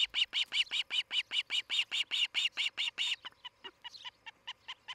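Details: At a nest cam in Charlo, Montana, an osprey of a nesting pair, 11 July 2018, morning, gives loud, evenly spaced piercing cheeps, about fourteen in a row, which then fade into softer, scattered chirps.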